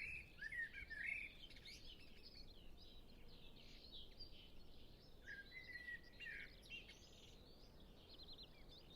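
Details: Common blackbird song: an opening phrase of fluty, warbling notes, a pause, then another mellow slurred phrase with twittery ends, over soft distant singing of other birds.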